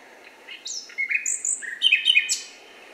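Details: Male Common Nightingale song: a rapid strophe of clear whistles and high sweeping notes, some held and flat as whistle strophes, others falling, packed into under three seconds; one of three strophes, from a repertoire of about 200.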